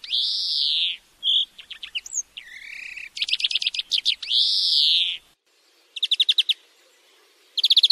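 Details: Tutoring song of a European greenfinch, meant for training another bird to sing: long drawn-out buzzy wheezes that rise and fall, interleaved with stuttering rattles and quick pulsed trills, with a brief silence before further trills.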